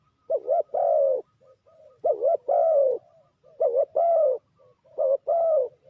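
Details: Lure spotted dove for bird trapping, repeating loud phrases of a quick doubled note and a longer coo four times, with quieter answering coos in between.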